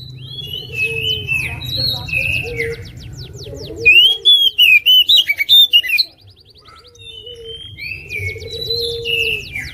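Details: Oriental magpie-robin, a national champion competition bird from 2021, gives soft scratchy chatter and mimicry, then bursts into a two-second volley of loud, sharp whistled notes before falling quiet.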